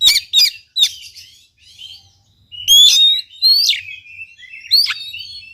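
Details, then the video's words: Oriental magpie-robin singing to stir a silent bird into song: rapid sharp notes at the start, a pause, then loud sweeping whistles with upward and downward slides, repeated in bright phrases. "KACER GACOR||PACINGAN &MASTERAN KACER MALES BUNYI"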